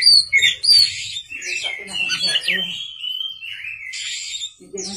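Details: Night-time song of a white-rumped shama: sharp high whistles at the start, then a rambling run of warbled, slurred notes; faint low voice-like sounds in the background.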